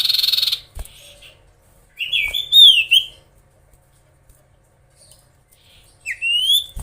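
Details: Common iora singing to stir up rivals: a brief harsh buzz, then a rich whistled phrase with slurred notes, silence, and a final rising whistle.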